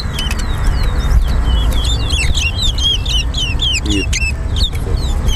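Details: Chestnut-bellied seed finch (towa towa) in a singing race between two birds at Harbour Bridge: a rapid, dense run of high, bright, twisting whistled notes, some sliding up and down, over a low background rumble.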